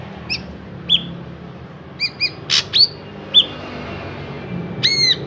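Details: Drongo song meant to draw other drongos into singing: scattered clear whistled notes, some in pairs, one bright upward-sweeping note, a short harsh burst, and a final ringing, quavering whistle.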